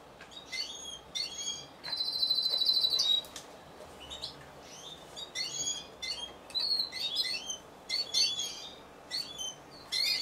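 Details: Single Timbrado Español canary entered in an individual-class singing competition, 26 November 2015: scattered short high chirps and notes, with one loud buzzy trill around two seconds, separated by quiet gaps.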